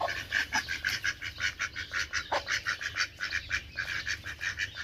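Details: Duck giving a fast, rhythmic series of rasping quacks, close to two per second, evenly pulsed throughout over faint low rumble.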